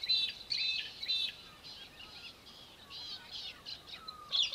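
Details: Little falcon, or Australian hobby, recorded in Victoria, Australia, in December 2023, uttering shrill, harsh chattered notes in quick runs at the beginning and end, with a background chorus of other birds' chirps and whistles.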